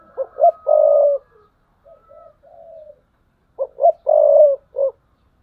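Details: Decoy spotted dove, thúc bổi calling, recorded 2022. A loud phrase of two quick coos and a long rolling coo gives way to soft, low cooing, then the same loud phrase repeats with a short final note.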